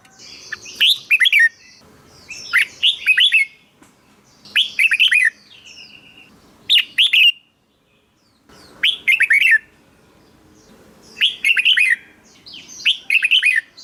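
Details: Red-whiskered bulbul, a recording for luring or rousing birds. Short, jaunty whistled phrases come about every two seconds over roughly fourteen seconds, with one longer gap midway.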